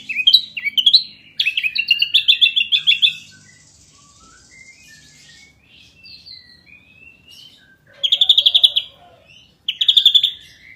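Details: Ashy drongo champion singer in gacor nembak rapat style: jerky high trills and chattering notes, then a run of thin whistled notes rising and falling, followed by two short rapid rattling bursts.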